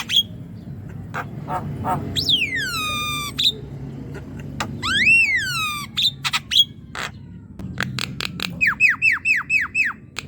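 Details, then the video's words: Javan myna in full song, played to prompt a young bird that is reluctant to sing: long, sweeping descending whistles and harsh clicks, ending in a quick series of short, falling whistled notes. "Jalak kebo muda yang diam dan malas bunyi pancing dengan ini ~ jalak kebo gacor"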